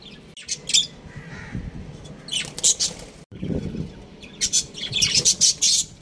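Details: Breeding pair of budgerigars chirping: repeated bursts of high, harsh, scratchy chirps and squawks, clustered and rapid, with short quiet gaps and some soft, low fluttering in between.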